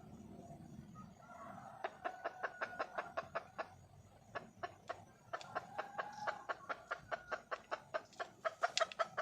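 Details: Wild junglefowl hen seeking a mate: two bursts of rapid, evenly spaced clucks, each several seconds long, set against a steady background hiss, the second series ending in a few sharper notes.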